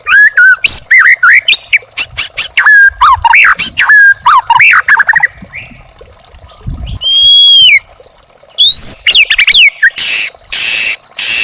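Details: Young forest white-rumped shama in a master recording for tutoring caged birds: rapid whistled notes swooping and dropping, interspersed with a long pure rising whistle and harsh, broad, rasping bursts near the end.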